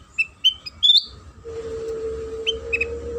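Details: Sooty-headed bulbul lure song to trigger singing in other bulbuls: a run of bright, rising chirps in the first second, then a few softer notes over a steady droning hum.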